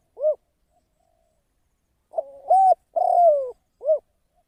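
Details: Decoy spotted dove kept for trapping gives a lone soft coo, then a full phrase: stuttering lead-in, a level coo and a long note sliding downward, followed by another single coo; no other sounds.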